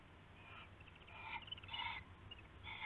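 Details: Owls at night on February 19, 2016, early morning, around a rabbit being passed as prey; a burst of several short, rough, harmonic calls of rising loudness, bunched across three seconds, over a faint low hum.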